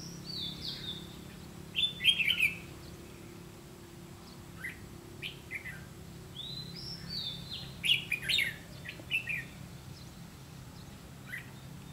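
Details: Red-whiskered bulbul during trapping with a decoy bird; scattered bright warbled phrases and short rising notes, with louder bursts near the second and eighth seconds, over a low background hum.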